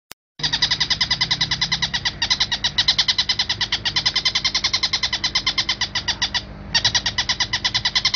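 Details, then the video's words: A long-tailed shrike tutor recording with pauses gives a fast, harsh, rasping chatter of about ten notes per second, broken by two brief pauses; nothing else is heard. "Masteran suara Tengkek Buto jernih dengan jeda"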